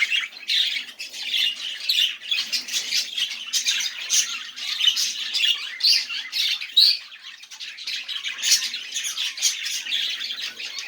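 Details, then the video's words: Chattering budgerigars used to encourage quiet budgies to sing; continuous grating warble with squawks and rapid clicks, slightly softer toward the end. "muhabbet kuş sesi ötmeyen muhabbet kalmasın"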